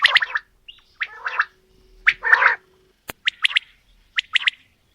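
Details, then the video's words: Male and female quail calling: harsh, gargling, rasping phrases, then a single sharp click and several quick high triple-note bursts. There is little background noise. "Female Batair Calling | Male Batair Sounds | Mix Calling| Batair Ki Awaz | Batair Ki lambi Awazay"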